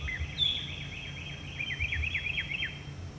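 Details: Northern Mockingbird singing around a community, one of many different songs: a rapid run of zigzag chirped notes, quickly repeated and slightly rising, with a steady faint high hum and low rumble behind.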